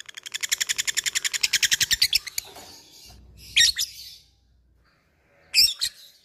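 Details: A Labet fighter bird calling an opponent: a quick run of crisp, high ticks for two seconds, then two separate sharp, squeaky bursts after short pauses.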